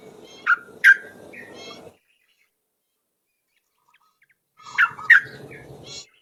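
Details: Yellow-vented bulbul recording used as a trapping lure: two short bursts of sharp chirps with a rising note, separated by about three seconds of silence.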